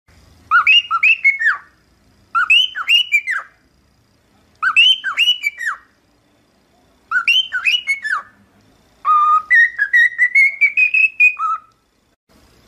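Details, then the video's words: Cockatiel singing, used for training another cockatiel to sing: four quick bursts of bright chirpy whistled notes at regular intervals, followed by a longer run of whistles climbing steadily in pitch and ending on one low note. "Aprenda Como Ensinar a Calopsita a Cantar"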